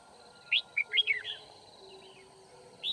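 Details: Red-whiskered bulbul at a trapping site in Kim Bôi, Hòa Bình, 9 February 2019: a rapid phrase of four or five bright, slurred chirps, then a final rising note, against steady insect-like hum.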